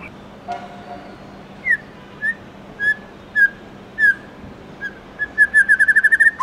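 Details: White-rumped shama in the morning, singing in the 'forest voice' style: spaced single clear whistles about every half second, then a fast accelerating series of bright repeated notes at the end, with a quiet background and a brief clatter near the start.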